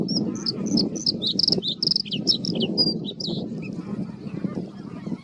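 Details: Bluethroat male defending his territory from reeds, delivering a rapid jumble of high chirps, buzzy slurs and ringing notes. The phrase tails off into a few scattered chips over a steady low hum.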